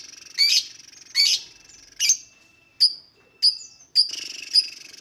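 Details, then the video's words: Lovebird calls played to get lovebirds singing: several harsh high squeaks followed by thinner, sharp whistled chips at irregular intervals over a faint buzzing background. "COBA CARA INI MEMANCING BURUNG LOVEBIRD, PASTI BUNYI MENDENGAR VIDEO INI.. LOVEBIRD SINGING"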